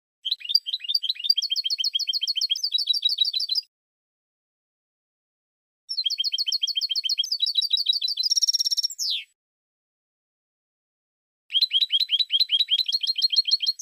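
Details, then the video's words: Three bursts of European goldfinch song: rapid liquid twitters in repeated two-note patterns, broken by silent gaps, the middle burst ending in a harsh buzzy trill and a sliding note. "Cante De Jilguero 2016"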